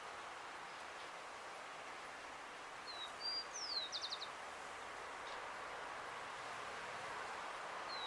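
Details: Rufous-collared sparrow singing in a Uruguayan town: one song midway of two or three clear slurred whistles ending in a fast dry trill, the start of another at the close, against constant traffic-like noise.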